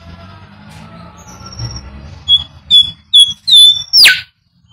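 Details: Bimoli whistled phrase, used to train birds to sing: five short level whistles about half a second apart, closing with a loud downward-sweeping note, after a stretch of low background rumble.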